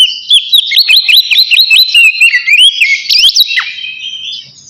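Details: Oriental magpie-robin in ngeplong song, a call to a rival used as a lure for other birds: a rapid run of high slurred whistles, each rising then dropping, about a dozen in quick succession with clicky accents.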